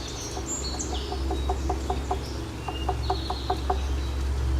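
Northern Flicker giving a steady series of loud, even notes, about four a second; faint high bird whistles and a low hum behind.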